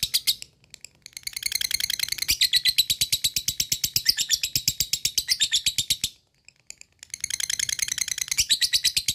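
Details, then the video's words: Lovebird ngekek, a long trilling chatter meant to stir other lovebirds to sing. Rapid high buzzy notes start, pause briefly, then run on for about five seconds, go quiet for a second, and resume. "lovebird cepat naik EMOSI dan langsung jadi ngekek panjang"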